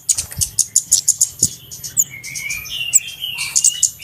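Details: Flowerpecker lure recording for bird trappers: regular high ticking chips at first, then thinner squeaks and a drawn-out buzzy whistle, with faint low thumps in the background.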